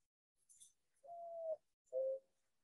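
Mourning Dove giving low, soft, hollow coos: a long drawn note followed by a shorter one, with a faint high chirp before.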